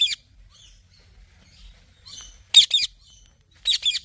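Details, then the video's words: Soft scattered chirps from a parrot build into two loud raspy double squawks near the end, with a sharp call at the start. "Parrot Talking Chirping Sounds"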